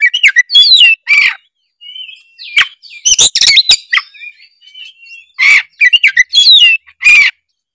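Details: Oriental magpie-robin in energetic gacor song, offered as a lure to get other kacer singing: nearly continuous mix of loud rasping chatter, clear warbled whistles and rising and falling slurs with only brief gaps.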